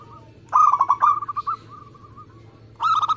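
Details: Zebra dove of a local contest type: a quick run of mellow coos that slows into a string of softer, fading notes, then a fresh rapid burst of cooing begins.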